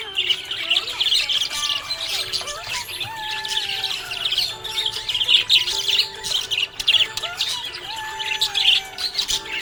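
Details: Budgerigar chirping happily, a busy stream of high, buzzy warbles and short squeaks that rise and fall without pause, with a soft musical melody underneath.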